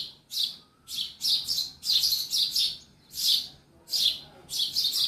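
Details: A sparrow inside a house gives bursts of harsh, high chirps in quick clusters, roughly eleven bursts in five seconds, with a faint low indoor hum beneath.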